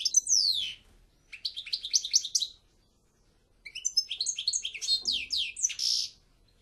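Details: Twittering European goldfinch song: a descending slurred phrase, then bouncy repeated chirps, a pause, and a longer varied burst ending in a buzzy note.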